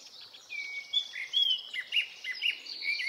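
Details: Fluent song of a Japanese thrush, Hokkaido woodland in early summer, Nikon Coolpix P950: drawn-out whistles slide up, then short sweet fluted notes repeat rapidly, rising and dipping, with a faint high chorus behind.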